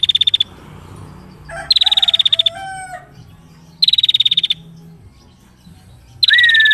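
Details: Energetic singing from a female prinia: short bursts of fast, high, rattling trill separated by pauses of about two seconds. One burst is followed by a few lower slurred whistles, and the last ends in a rising whistle.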